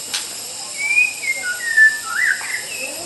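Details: Master song of a white-rumped shama for training other birds: clear whistled notes in a connected phrase, stepping between higher and lower pitches with a couple of upward slurs near the end, a faint steady hiss behind.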